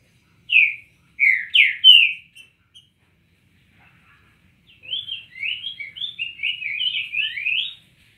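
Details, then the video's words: Cinnamon tanager singing, three loud slurred whistles, a pause, then a longer fast chattering string of warbled, rising and falling notes ending abruptly, on a quiet background. "Bicos de Veludo dando show"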